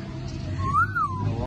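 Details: Pet grey parrot reacting to its owner gives one clear, smooth whistle that rises then falls, about half a second long, over a steady low hum.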